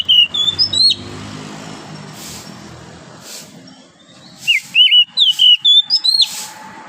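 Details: Morning song of a wild forest oriental magpie-robin: a short whistled phrase, a pause, then a longer run of clear, slurred whistles jumping between high and lower notes.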